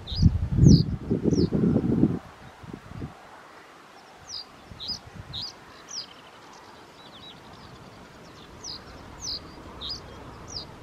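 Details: A Bearded reedling at the Lauwersmeer gives short, high, metallic pinging notes, scattered every second or so, after two seconds of loud low rustling and wind.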